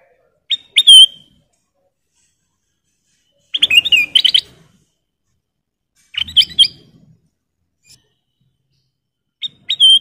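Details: Kutilang emas bulbul singing, a master recording for training cage birds: short clear whistled phrases with bright rising notes, separated by pauses of about three seconds, and one rapid chattering burst in the middle; quiet background.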